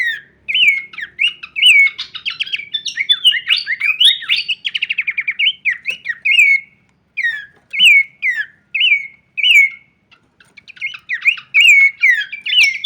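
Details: Horsfield's babbler in full varied song, shaking its wings: long sequences of clear, downslurred whistles repeated at a steady pace, mixed with rapid chattering trills and brief pauses between phrases.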